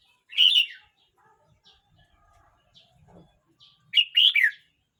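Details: A red-whiskered bulbul aged 12 months 29 days delivers two loud, bubbly whistled phrases about four seconds apart. Faint chips and a soft low rattle fall between them.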